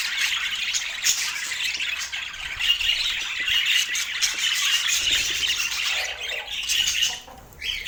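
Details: Budgerigars chirping together: a dense, continuous wall of overlapping high, scratchy chatter and squawks with no pauses, easing slightly near the end.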